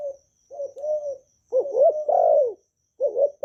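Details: Spotted dove (cu gáy) in Vietnam, a kept bird's calling, urging and cooing phrases used to train new doves to sing. Soft wavering low notes lead into a rising set of hollow coos, one long swelling note falling away.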